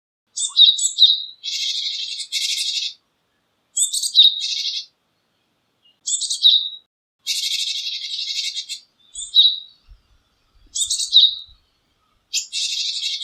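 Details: Japanese tit giving a varied call series: quick high chirps mixed with longer harsh buzzy rattles lasting about a second, repeated several times with short pauses, no other sounds.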